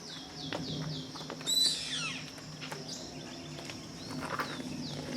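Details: Yellow-headed caracara calling: a run of thin, downslurred high notes, then a louder harsh, ragged scream near the middle, with quieter descending notes later, all over a steady high insect drone and faint chirps.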